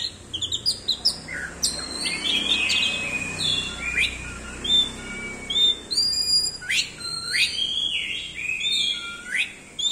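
An orange-headed thrush sings a rich, rambling run of clear whistles, quick chirps and sharp downslurred notes, varied from phrase to phrase, with faint background hiss.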